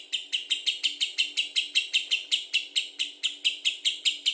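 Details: Lovebird in ngekek style, recorded to trigger singing in others: a steady series of harsh, squeaky notes repeated about four times a second for several seconds, each note bright and rasping.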